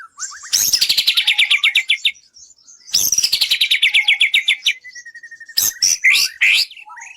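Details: Songbird-contest training recording of white-rumped shama song: two long, fast descending rattled trills of many bright notes, then a level thin whistle and sharp clicks.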